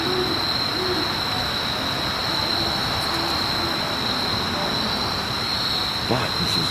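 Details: In Forest Park, St. Louis, on a night owl walk, a great horned owl gives soft, low hoots, described as pair-bonding calling, partly lost in steady background rumble with a thin high insect-like drone throughout.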